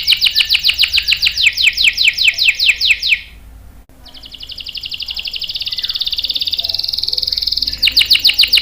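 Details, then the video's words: Canary in full song, meant as a lure and tutor for young and stalled males: a fast bright trill, a brief silent break, then a long smooth buzzing roll before the quick trill returns. "SUARA KENARI GACOR ampuh buat pancingan dan masteran kenari paud dan macet | CANARY SINGING"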